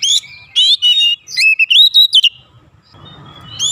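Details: Agitated Oriental magpie-robin provoked into song: loud whistled phrases with rising and falling slurs, several quick sweeping notes in a burst, then a pause with faint low background rumble.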